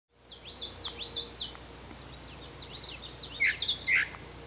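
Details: Brown thrasher in Canada singing a run of quick whistled and slurred phrases, several given in repeated pairs, high and bright with a few rising-falling sweeps; faint steady background hum.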